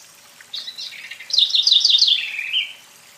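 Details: Brazilian House Wren (corruira) singing one of the country's celebrated songs: soft introductory notes followed by a loud, rapid chattering series of high sharp notes sliding into a lower trilled finish, lasting roughly two seconds.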